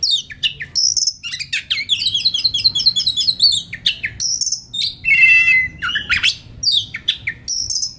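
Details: Relaxed white-rumped shama song meant as a master recording for tutoring young forest-caught birds: bright high trills, clipped repeated whistles and a buzzy rattling burst, delivered in quick varied phrases.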